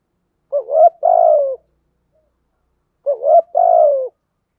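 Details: Decoy spotted dove urging rivals with its cooing. Two matching phrases about two and a half seconds apart. Each is a brief warbled rising note, then a drawn-out, even coo that sags at the end. No other sounds.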